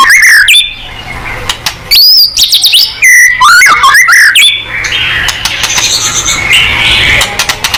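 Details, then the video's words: White-rumped shama singing hard, used to draw a quick answer from other shamas: bursts of loud, sharply swooping whistles and rapid rising trills for about four seconds, then a hiss of background noise with scattered faint notes. "MURAI BATU GACOR|Hanya cukup 5 detik Langsung NYAUT!!"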